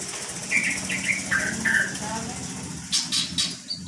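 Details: Magpie-robin in an unedited recording, reportedly imitating the call "Pak Jokowi": a string of short mid-pitched whistled notes, then sharp clicking bursts, against a hissing, humming background.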